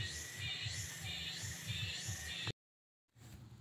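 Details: Steady music with a low pulsing beat and bright hiss stops abruptly, followed by a brief silence and faint noise.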